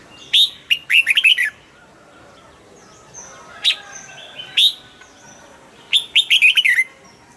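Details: Red-whiskered bulbul kept in a cage gives quick, lively warbled phrases of four to six bouncing notes, then a pause with single sharp notes before another burst.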